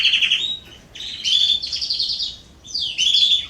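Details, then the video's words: Canaries in a garden, September 2020, give soft warbling phrases of chirped and twittered notes in short bursts separated by brief pauses. "Canaries singing in my garden"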